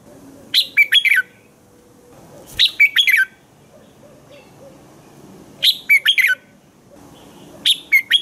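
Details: Morning song of a red-whiskered bulbul used as a training voice for other bulbuls: short, lively warbled phrases of quick whistled notes, repeated about every two to three seconds over low steady background noise.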